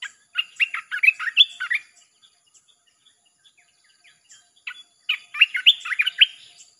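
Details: Red-whiskered bulbul singing nonstop, played to draw in wild birds: two bursts of fast chattering, warbled whistles separated by a near-silent gap of scattered faint ticks.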